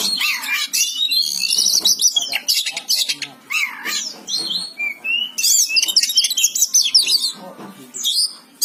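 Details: Lively Oriental magpie-robin song: chattering trills, downslurred whistles and rapid repeated high notes in dense, continuous phrases.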